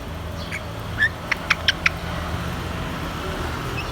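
A grey parrot gives a quick run of four or five sharp clicking, chirpy notes over about a second, with a low background hum throughout.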